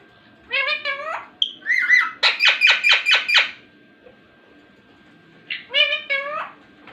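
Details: Ringneck parrot talking indoors: short harmonic, speech-like phrases with wavering pitch, then a rapid run of six raspy, evenly spaced syllables, a pause, and one more warbling word-like phrase, with a steady hum beneath.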